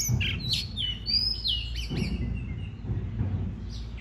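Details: Oriental magpie-robin song meant to trigger singing: clear whistled notes, some sliding and drawn out, mixed with short chirps, above a steady low rumbling background.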